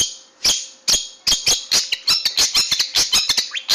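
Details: Long-tailed shrike song, used for training caged birds: harsh, sharp, clicking notes that start spaced and then quicken into a rapid, irregular chatter, with scratchy high tones between them. A faint steady hum runs underneath.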